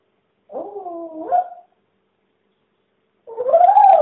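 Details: Pet talking parrot trying to sound scary while delivering a Halloween message: two drawn-out, hoarse, voice-like utterances, the first wavering and level, the second rising and louder, separated by silence.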